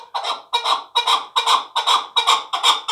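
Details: Chukar partridge, a young fighting bird from last year's brood, calling in a steady series of harsh, rich chuk-chuk notes, roughly two and a half per second, each note clipped and rasping.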